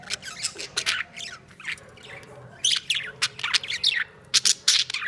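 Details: Several pet budgerigars in cages chatter in quick, scratchy chirps and warbles, calling over one another.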